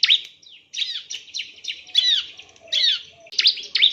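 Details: Bar-winged prinia song used as a training recording for other birds, made of repeated sharp downslurred chirps with short pauses, some notes buzzy and rising, given in quick bursts.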